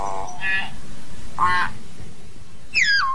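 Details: Hill myna calling the flock: two rough, buzzy nasal notes about a second apart, followed by a clear whistled note sliding downward at the end, over steady low background noise.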